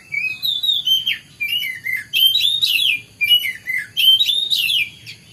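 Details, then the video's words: Morning song of a white-rumped shama, a continuous run of loud, clear whistles and slurred descending notes mixed with harsher chattering bursts, phrases repeated almost without pause against a quiet low hum. "kicauan burung kacer di pagi hari"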